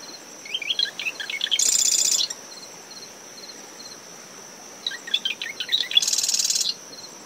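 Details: Two songs from a marsh wren in dune vegetation near its nest in early morning, about five seconds apart, each a burst of quick chipping notes ending in a harsh buzzing trill; a cricket's continuous high tone, wind and surf behind.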